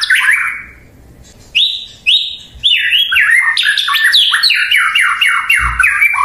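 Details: Murai batu (white-rumped shama) song meant to make rival birds answer: bright whistled phrases, a pause, then a rapid, dense run of falling whistled notes.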